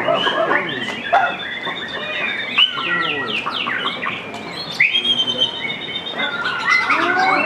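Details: White-rumped shama singing at a songbird competition: rich, varied whistled phrases, rapid downward sweeps and trills, dense and overlapping throughout, with faint human voices in the background.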